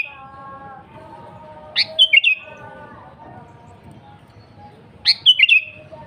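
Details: Sooty-headed bulbul singing gacor-style, used to lure and call rival or wild bulbuls: two brisk bubbly phrases of sharp rising chirps and slurred notes about three seconds apart, with a steady low humming drone between them.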